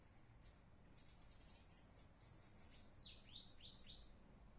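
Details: Singing bird giving very high, thin trilled phrases that run into a series of quick downward-sweeping whistles, about four notes per second.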